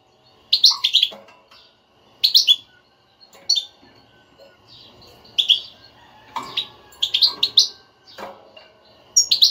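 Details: European goldfinch batbata, a stimulating chatter for a goldfinch that will not sing. Repeated short clusters of high tinkling, buzzy notes come every second or so, with a few lower chips and brief gaps between.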